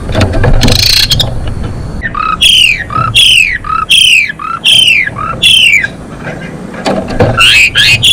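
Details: Female Asian pied starling singing vigorously, used to bring males into breeding condition; a run of loud whistled notes, each sweeping sharply downward, repeated about every half second between harsher noisy bursts at start and end.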